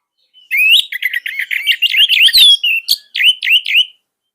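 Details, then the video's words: Caged orange-headed thrush from Indonesia singing, kept as a tutor bird for young birds: a rapid run of high whistled, warbling phrases, with slurred rising notes and short trills at a brisk pace, clean with no other sounds. "KICAUAN SANGAR ANIS MERAH COCOK UNTUK MASTERAN"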